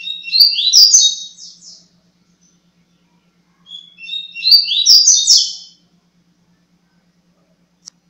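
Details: Tui Tui Zero Zero song style from a coleiro seedeater: two near-identical phrases of rapid, high, sweet slurred notes and trills, each lasting about two seconds and separated by silence, ending with a single tiny click.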